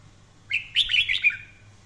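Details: Red-whiskered bulbul delivering a short, fiery 'căng lửa' training phrase: a rising slur followed by a tight run of loud, jumpy warbled notes lasting about one second.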